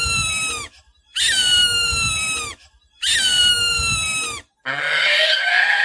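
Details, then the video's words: Falcon giving loud, high, drawn-out screeches that slide downward. Three long calls about a second apart are followed by a shorter, harsher, rasping burst. "Real falcon screeching sound"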